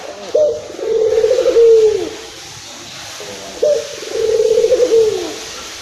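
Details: Two repeated coos from an emotional local Barbary dove in Indonesia, played to stimulate other doves: each has a crisp onset, a buzzing rolling middle and a falling end, spaced about three seconds apart.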